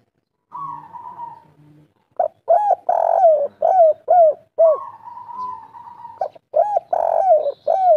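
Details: Spotted dove, local bird singing in the kuk 3 style: a long drawn wavering note, a short pause, then a run of hollow arched coos, one stretched and louder, followed by another drawn note and more clipped coos.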